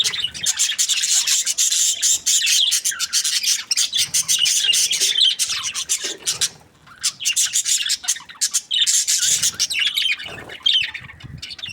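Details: Happy budgies chirping almost continuously, a rapid, scratchy, buzzing chatter with short chirps mixed in and one brief pause.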